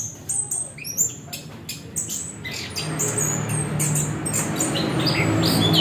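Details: Orange-headed thrush giving quick squeaky chirps and short slurred whistles early on, the notes thinning out as a low rumbling background noise grows louder.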